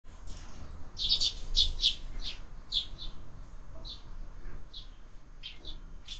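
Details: Sparrows at a window-mounted feeder, fed year-round: a run of short, bright chirps repeated irregularly about twice a second, some paired, over a low background rumble.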